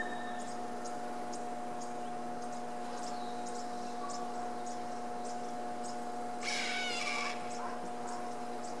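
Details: A Harris's hawk gives an alarm call warning of danger, one harsh, grating rasp lasting under a second, over a steady mechanical hum and faint rapid high ticking.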